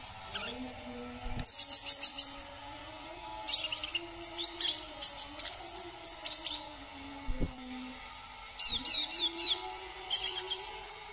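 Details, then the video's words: Brown-throated sunbird of Kalimantan giving bursts of high, squeaky chirps and quick rattling trills separated by short pauses, with a faint low droning hum throughout. "KICAUAN KOLIBRI KELAPA KALIMANTAN"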